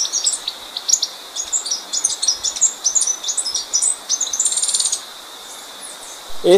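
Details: High-pitched twittering of a blue-backed conebill (Conirostrum sitticolor): rapid squeaky chips in irregular bursts over five seconds, then a quiet gap and a brief low thump at the end.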